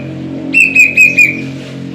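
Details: Plaintive cuckoo kept as a cage bird, one quick run of four level whistled notes in under a second, trailing into a thin fading tone over steady low electrical hum.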